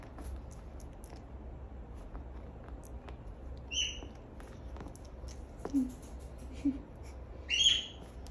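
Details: Pet parrots indoors screaming in the background: two sharp, short squawks, high and harsh with overtones, a few seconds apart, plus a couple of faint lower notes over a steady low household hum.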